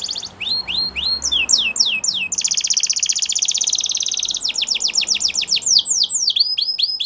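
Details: Belgian canary song: clipped chirps and falling whistles, a sustained buzzy roll, then quick sequences of steep downslurred notes repeated rapidly.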